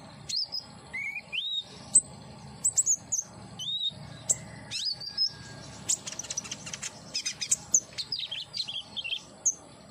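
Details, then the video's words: Common iora song for therapy to make a captive bird sing: clear, separate whistled notes, some rising and some falling, then a busier stretch of rapid high chirps and twitters. "terapi konin agar gacor !! hitungan detik langsung nyaut"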